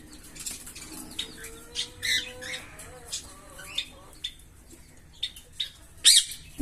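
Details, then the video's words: Green Fischer's lovebird pair chirping: scattered harsh squawks and shrill high chips with a few short tonal, nasal notes between, ending on a loud piercing chirp. "Lovebird Singing & Chirping Sounds"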